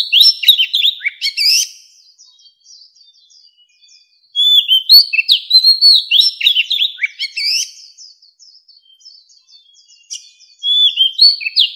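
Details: Oriental magpie-robin, an old wild bird, singing; the recording from 2020 is used to call in wild birds. Bright whistled, twisting phrases come in three separated bursts with long quiet gaps between.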